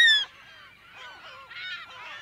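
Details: A loud, high gull cry opens, then the colony of California gulls continues behind it with softer, bending, nasal calls overlapping throughout. Mono, close to mid range.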